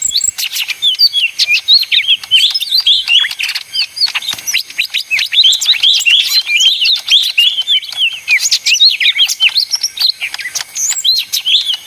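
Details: Leafbird, mini 'ijo daun' type, singing noisily: an unbroken jumble of high, sharp chirps, clicks and twisted whistles, fast and restless throughout.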